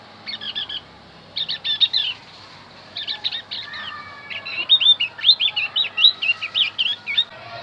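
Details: Javan grey-throated white-eye song played to lure wild birds: short bursts of high chirps, then a quick run of rising and falling whistled notes, about two per second, over a soft background hiss.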